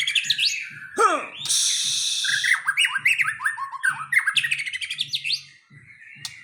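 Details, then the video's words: Aceh white-rumped shama unloading its learned song material (bongkar isian), a dense run of rapid chirps, rising and falling whistles and one long harsh rasping burst, with a faint low hum pulsing underneath. "Murai Aceh # Bongkar Isian"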